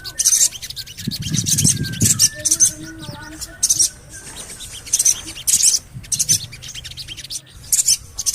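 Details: Javan cochoa calls used to encourage birds to sing: high, rough chirp bursts in pairs and clusters, with low rumbling early on and faint stepped whistles from other birds in the middle.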